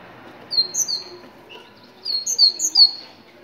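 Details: Moroccan tit song used to get other tits singing: a brief phrase of two or three piping whistles, a pause, then a longer run of four or five alternating high notes.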